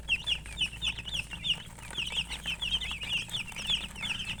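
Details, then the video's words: A busy chorus of high, wavering cheeps from coloured chickens, notes crowding together without pause over a low steady hum. "silly chicken chirping sounds"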